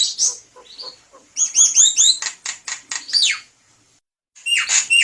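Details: Javan myna singing constantly, meant to serve as a lure: bright whistles and rapid clicking notes, then a burst of sharp squawks and twangy phrases, a short pause, and more loud squawks.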